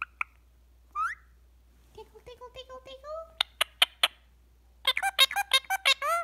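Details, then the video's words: Pet rose-ringed (ringneck) parakeet, possibly sleepy, chatters in quick, high, squeaky bursts and buzzy syllables, some speech-like, saying "tickle, tickle"; its owner's voice is heard in between. "Talking Parrot says “Tickle, Tickle” in the cutest way"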